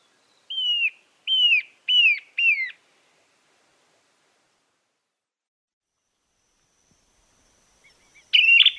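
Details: Narrow-billed Woodcreeper from Argentina giving four loud, evenly spaced, down-slurred whistles, followed by a long silence and a brief sharp burst at the end.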